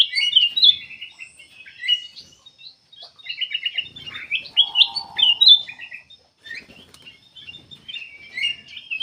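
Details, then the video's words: Lively black-capped bulbul song used as a lure for other birds: dense bursts of chirpy, trilled warbling with short pauses and a low humming whistle midway. "KUTILANG EMAS \ CUCAK EMAS GACOR FULL GACOR sangat bagus buat pancingan \ pikat"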